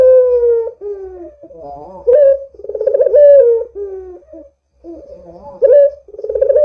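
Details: Barbary dove calling repeatedly, offered as a lure for doves to answer: falling coos alternate with wavering notes and swelling pulsed rolls, with a brief silence before the next phrase.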